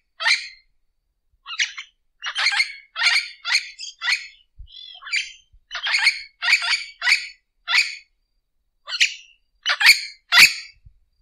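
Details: Orange-winged amazon uttering a long string of harsh, raspy squawks, clustered in quick runs with brief gaps, the last few louder and sharper.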